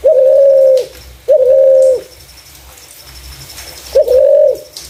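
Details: Clear spotted dove coos of the kind used as a lure for other doves: two low, drawn-out flat notes, a two-second pause, then a third.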